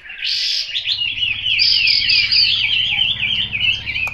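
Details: Chinese hwamei singing a loud, continuous run of varied whistled phrases, rapid warbling notes sliding up and down with bright clear tones, a steady fast stream of song with faint low hum beneath.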